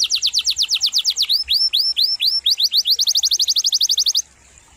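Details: Canary song used as training material for other songbirds: fast trills of repeated high notes, then a run of rising hooked whistles, then another rapid trill, about four notes per second, fading to quiet at the end.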